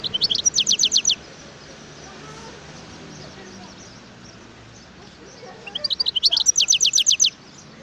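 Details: Two crisp phrases from a wild European goldfinch, each a fast row of high, falling notes repeated about four times a second, with low background murmur between them.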